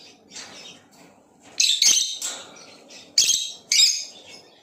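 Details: Blue Opaline lovebird chirping with soft twitters building into several loud, shrill, buzzy chirps, roughly four strong bursts, over a faint low background rumble.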